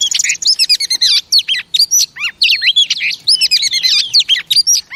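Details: A female oriental magpie-robin pours out a rich, lively song of clear whistles, downslurred notes and brief rattling bursts in quick succession, played to excite kept male birds into singing.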